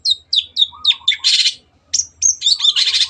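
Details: Long-tailed shrike song used as a training recording for caged birds: sharp whistled notes falling from high pitch, then dense harsh buzzy bursts, a pause, and more whistles mixed with rasping chatter.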